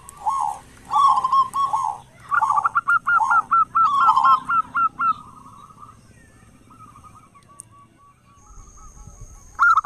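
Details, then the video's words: Local zebra dove, noted for a big voice, used to coax other doves into song at dawn and dusk; grouped rolling coos, then a fast series of clipped, upward-flicking notes fading into softer trailing coos, with a low hum underneath. "perkutut lokal gacor suara besar buat pancingan diPAGI dan sore"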